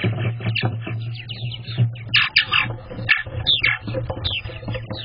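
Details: Adult purple martins in North Carolina calling while they begin building a nest, recorded in May 2024: a busy stream of irregular chirps, squawks and gurgling notes over a steady low hum.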